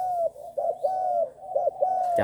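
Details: Young trained spotted dove, six months old, cooing in the Bang Kaew Tai style: low, smooth, slightly falling coos with short breaks, ending in a sharp knock.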